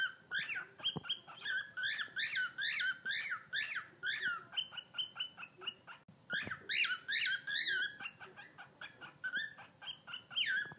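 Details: A rescued pet bird delivers a long run of rapid guinea pig-like squeals: bright arched chirps repeated over and over, broken by one short pause before the series resumes.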